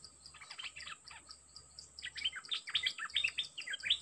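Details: Dok Taeng bird used as a decoy beside a fierce captured wild bird: quick bursts of bright, jumbled chirps and sweeping notes, rising in intensity after a short pause, with a constant insect hum behind.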